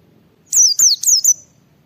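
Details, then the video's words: White-eye giving a 'ngalas' phrase to spur other white-eyes into song: one quick run of four bright, high whistled notes, each swooping downward, delivered within under a second. "Suara Burung Pleci Gacor membuat Semua Pleci langsung ngalas"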